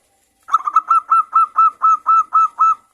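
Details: A local zebra dove calls among others in a noisy exchange, recorded as a lure to stimulate singing. About eleven evenly spaced, ringing coo notes follow one another at a steady, quick pace.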